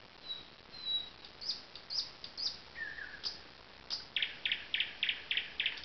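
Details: Lakeside alders at Zawady Oleckie hold a thrush nightingale: thin whistles and scattered high notes give way to a brisk run of repeated clicking notes, all against a steady hiss.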